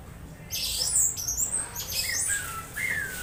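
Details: Strange sounds from a captive Orange-headed thrush under conditioning, meant as a lure to prompt singing: bursts of harsh, bright squawks followed by slurred whistled notes, with background hum.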